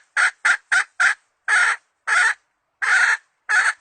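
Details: Hen chicken kept as a decoy for luring, 2020 season: loud, harsh clucks, four quick ones followed by four slower, longer notes spaced about half a second apart, with no other sounds.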